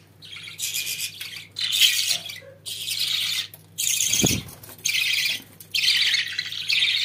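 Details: Pet budgerigars warbling in dense buzzy phrases, each lasting about a second, separated by short gaps, with a single low thump midway.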